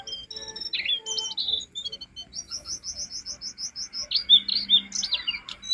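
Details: Jongkangan singing on a master track to train cage birds: varied high chirps lead into a quick, evenly spaced series of about a dozen repeated notes, then bright whistled slurs.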